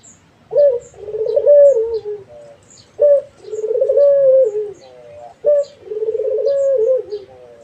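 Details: Actively calling Barbary dove repeats its coo three times, about every two and a half seconds, each a short bright opening note followed by a long rolling purr that finishes on a slightly falling tone, with faint high twitters behind.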